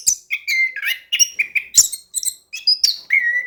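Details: Vigorous 'gacor' song of an orange-headed thrush with rolling phrasing, used to coax lazy singers: quick sequence of clear whistles, buzzy chips and high squeaks, ending on a long flat whistle.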